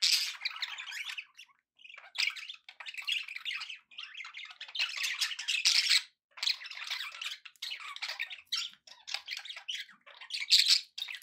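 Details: Happy budgies in a room: loud, continuous buzzy chatter with harsh squawks and fast clicking notes, grouped in long bursts broken by short silences.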